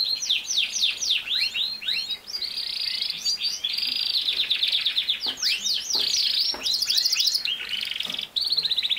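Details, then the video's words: Singing canary, recorded as training material for a young male canary; long continuous song of quick downward-slurred chips blending into buzzy high rolls and rattling trills, loud and unbroken for nine seconds. "How to make a CANARY Sing fast | The BEST video for CANARY SINGING"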